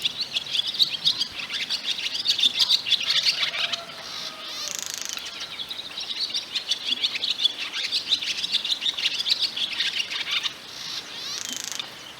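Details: Barn swallow singing its bright, loud song, sung by male or female during pair formation to attract a mate and show a nest site: chattering twitter, high-pitched and busy with squeaky notes and a few harsher rattles.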